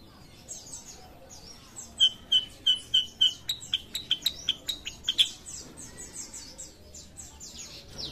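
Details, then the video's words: Sooty-headed bulbul of the kind called kutilang sutra, singing actively: a quick series of sharp, clicky chirps about three per second over roughly three seconds, with thin descending whistles from other birds before and after. "KUTILANG SUTRA GACOR"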